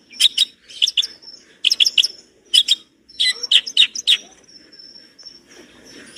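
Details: Masteran recording of a long-tailed shrike: clusters of two or three sharp high chips separated by thin drawn-out whistles, then a longer quiet tail with faint background murmur.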